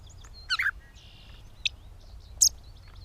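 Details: Gray catbird in Bowdoinham, Maine, 16 May 2020, giving a few loud, jumbled, scratchy notes at irregular intervals, including a harsh burst, a short flat buzz and a high squeaky note, over quiet background chirping.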